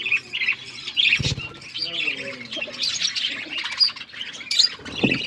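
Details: Budgerigars feeding together give a busy stream of bright, scratchy chirps, with a soft low thump near the start and a short warbled phrase in the middle.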